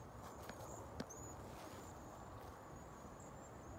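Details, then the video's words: Cedar waxwings migrating through San Antonio, Texas, ahead of a freeze, give a continuous stream of high, thin, lisping whistles. A few sharp clicks and knocks cut through a dull low-frequency background. "Cedar Waxwing Migration"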